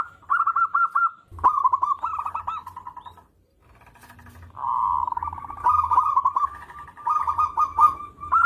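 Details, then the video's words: Local zebra dove singing actively, giving soft, rolling trilled coos in bursts of about a second, with a brief pause midway, then longer purring trill phrases running on steadily to the end. "Perkutut Lokal Gacor"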